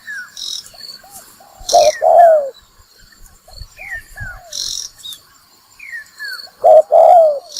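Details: Spotted dove lure call used for trapping: two short bursts of loud, husky coos, one near the start and one at the end, with softer hooked notes, falling whistles and hissy bursts between.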